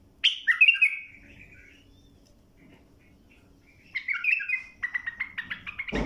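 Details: Tutoring song of a bulbul for young birds: a rich warbled phrase opens, a long quiet gap follows, then a second warble breaking into rapid repeated clipped notes ending in a sharp burst.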